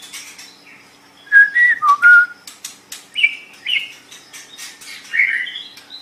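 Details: White-rumped shama singing as a tutor for cage birds: a loud cluster of pure whistled notes, some falling and rising, then softer varied whistles and clicks after short gaps.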